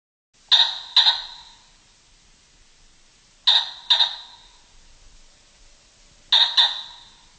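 A common pheasant gives three loud, harsh double notes, a grating 'kor-kok', about every three seconds, against a quiet background.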